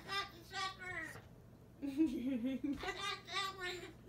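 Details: A Moluccan cockatoo babbles indoors in high, voice-like chatter of mimicked speech, short speech-like phrases broken by one wavering, drawn-out tone, over a low indoor hum.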